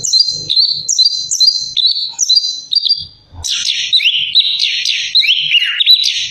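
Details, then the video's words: Orange-headed thrush repeating short paired whistled phrases about twice a second, then switching to a louder, rougher, scratchy rush of slurred notes; soft low taps underneath. "Simak Irama Lagunya Anis Kembang"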